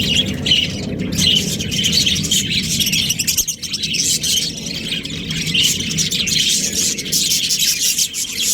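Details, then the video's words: Australian budgerigars, a breeding pair, chatter steadily in high warbling, twittering notes over a constant low background hum, with a brief dip partway through before the chatter resumes. "Australian budgies breeding pair | Budgies chirping sounds"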